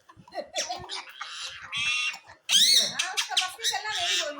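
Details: Talking Indian ringneck parakeet, a pet, mimicking words after a person speaks to it. A low human voice comes first, then loud, raspy, high-pitched word-like bursts with a rising squeal.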